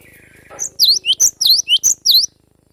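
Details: Cinereous tit, a young wild forest bird, delivering besetan song: after a low level tone, six loud, high, ringing notes follow in a brisk, evenly spaced series, each a sharp down-up slur.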